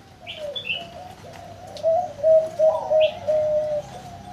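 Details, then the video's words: A farm-kept zebra dove with a large, sweet voice gives a soft purring coo building into a loud string of quick pulsed notes, while another bird chirps briefly. "นกเขาชวาเสียงใหญ่ -น้ำสวยฟังเพลินๆ"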